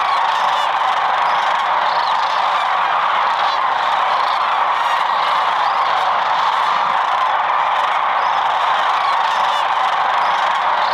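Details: At sunset on the Platte River in Nebraska, flocks of sandhill cranes descend to roost for the night; countless rattling, bugling calls merge into a steady, unbroken wall of sound.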